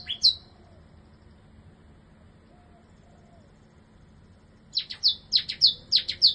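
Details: Bar-winged prinia in a new cage gives one sharp high note, stays quiet for several seconds, then bursts into a fast string of bright, piercing chirps repeated about three times a second.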